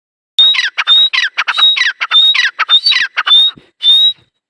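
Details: Dakhni teetar partridge calling: a rapid, harsh series of squawky notes, each group topped by a thin high whistle, repeating about twice a second for nearly four seconds before a final longer note.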